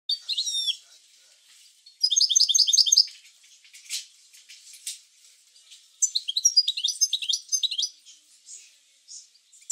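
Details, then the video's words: European goldfinch song of the bitbita style, played to stimulate other goldfinches to sing: bursts of rapid, high twittering trills with bright repeated notes, separated by pauses and soft rustling. "اروع بتبتة لتحفيز الحسون على التغريد"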